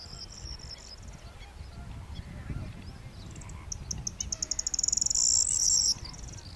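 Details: Corn bunting (Emberiza calandra) at Fuente de Piedra, Spain, in April 2011: high, dry ticking notes that speed up into a brief jangling, buzzy trill like shaken keys, over a low rumble of wind.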